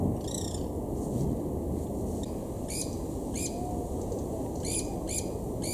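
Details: Several White-eared Barbets chase and mob a related Black-collared Barbet at Imvubu Lodge, KwaZulu-Natal, South Africa, in July 2019: scattered bursts of quick, bright, stacked chirps separated by short pauses, with a constant low background hum.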